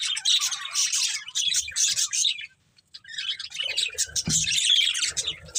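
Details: Two budgerigars, a breeding pair, chatter in high scratchy chirps, with a clear pause of about half a second midway before the twittering resumes just as densely.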